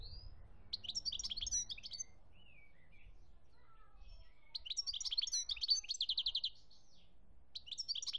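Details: European goldfinch singing in Algeria in 2017: two bursts of bright, tinkling twitters and rapid liquid trills, separated by a quiet gap with a few soft slurred notes, then a fresh phrase starting at the end; faint low rumble beneath.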